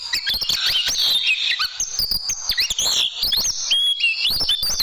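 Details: Caged-bird training song of an oriental white-eye in tembakan style: a continuous, twittering stream of high, thin whistled notes, some held and some swooping, over constant sharp ticking.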